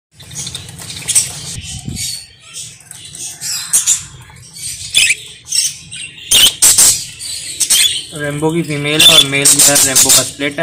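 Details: Budgerigars in Pakistan chatter in quick, scratchy high chirps and squeaks over a low background hum.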